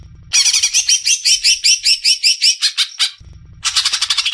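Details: Greater green leafbird, recorded as a contest prospect for training other songbirds, bursting into a quick series of scratchy rasping notes, roughly two to three per second, then a pause and a second fast buzzy run.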